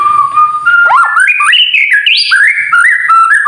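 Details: Kretekan song of a White-rumped shama, meant to stir other shamas to sing, opening on a long steady whistle, then rising into stepped, warbling notes that jump higher before settling into repeated mid-pitched phrases, with a faint constant high tone behind.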